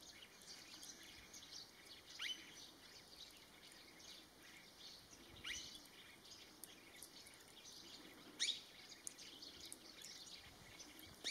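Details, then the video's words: Sirkeer malkoha recorded during a bird survey in Madhya Pradesh, giving brief, sharp, clicking notes roughly every three seconds over a steady high insect drone and faint background chirps. "Sirkeer Malkoha Call"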